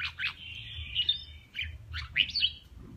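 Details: Male red-whiskered bulbul, kè kích fighting song used in voice training: softer, a drawn-out whistle followed by short sweeping chirps and a couple of bright, ringing notes, with a faint hum underneath.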